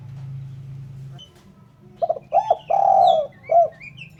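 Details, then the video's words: Spotted dove for luring birds giving one cooing phrase: a double stutter, a rising-falling note, a long falling coo and a short closing note, with thin high chirps from another bird and an earlier low hum. "Suara Burung Terkukur/Derkuku bersih cocok untuk PIKAt."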